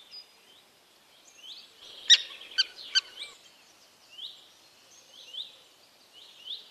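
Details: Several common terns at a breeding colony on rafts in Dachau, Germany, give many overlapping high, slurred, rasping notes. A few sharper, louder calls break through around the middle.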